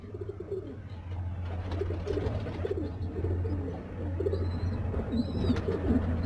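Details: Black and white fantail pigeons kept as pets give repeated low, throaty coos in quick succession, with a constant low hum beneath and a few faint higher chirps near the end.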